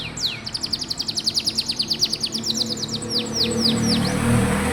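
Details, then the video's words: Canary song used to prompt young, quiet canaries to sing: a fast run of repeated downward-sweeping whistled notes, about five per second, then slower drawn-out descending slurs, over low steady background hum. "Suara burung kenari bikin hati senang, dan masteran burung kenari muda dan jarang bunyi"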